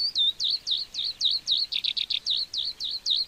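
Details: Lark of fields and meadows singing to mark territory and attract a mate: a rapid series of repeated, swooping high notes, about four per second, with a brief cluster of buzzy notes in the middle.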